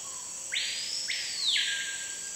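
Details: A screaming piha in Amazon rainforest near Manaus, Amazonas, Brazil, gives two loud, sharply rising whistles and then a long ringing note that drops away, over a steady high insect drone.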